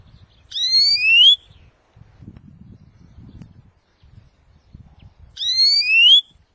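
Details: European greenfinch giving long drawn-out rising nasal wheezes, two of them about five seconds apart, in a recording meant for trapping and song training; faint low noise between.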